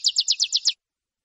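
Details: Saffron finch, "metralha" style song used for teaching captive birds: a short burst of six rapid descending buzzy notes in under a second, then silence.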